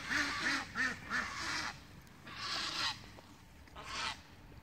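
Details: Muscovy ducks in mud: four quick hoarse huffing notes, then two longer breathy hisses with pauses between.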